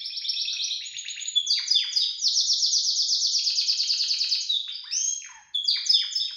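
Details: Belgian canary singing at length outside its cage: a long run of fast, rolling trills with buzzy repeated notes, broken by sweeping descending whistles. No other sounds are clear.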